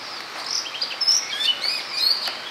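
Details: Common tailorbird foraging after rain: scattered short high chirps and thin whistled notes, some sharp upward flicks, over a steady high background hiss.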